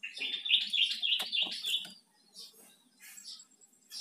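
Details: Loud Bar-winged prinia song: a dense, rapid chattering warble for about two seconds, then fainter scattered chirps, over a low background hum.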